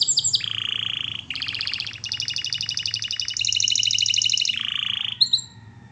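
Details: Canary training song: brief falling whistles, a low rolling buzz, then several fast high trills in steps, another low roll and a final short note.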